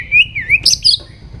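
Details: A White-rumped shama sings in the morning for voice training. It gives a short undulating whistle, then two rapid, buzzy high bursts.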